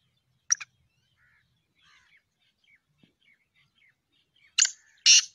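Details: Black francolin (kala teetar), recorded 2-1-2024: one isolated harsh note, soft twittering of small birds, then two more loud rasping notes at the end.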